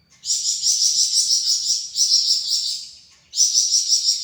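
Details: Javan fulvetta (Alcippe pyrrhoptera) kept as a tutor bird, singing its characteristic besetan chatter: high, rapid pulsed trills in two long bursts with a brief gap between them.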